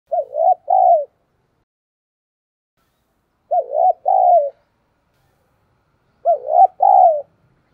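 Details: Spotted dove decoy bird, giọng thổ voice style, used to provoke wild doves into cooing quickly; three low cooing phrases about three seconds apart, each a short wavering note followed by a longer falling coo, in quiet surroundings.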